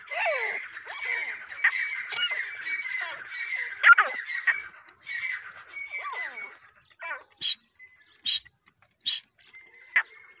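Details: Female grey francolin, described as full size, giving harsh squawking calls with layered, buzzy harmonics for about seven seconds, followed by four short, sharp broadband clicks spaced roughly a second apart.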